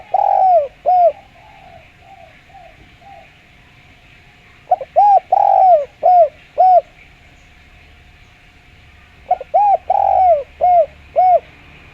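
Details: Spotted dove calling in a clear voice for use as a lure: three phrases of soft, rounded coos with one longer slurred note, about four to five seconds apart, with fainter coos between.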